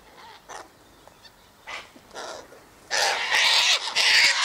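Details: Feeding sulphur-crested cockatoo at a gate, eating sunflower seeds, wheat and birdseed put out daily; a few faint calls give way to a long burst of loud, grating screeching over the last second and a half.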